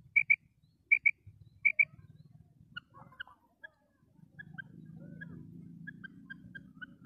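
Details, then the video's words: Female common quail calling: three crisp high double notes in the opening seconds, then fainter scattered chirps and a low rumble. "Female Quail sound // batair madi ki awaz // female batair awaz // mada batair awaz"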